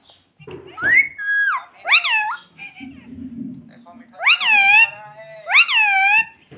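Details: Pet ring-necked parrot indoors, taught to say "mummy": loud harmonic arched calls rising then falling, in pairs near the start and two strong bursts near the end, with low human murmuring between them.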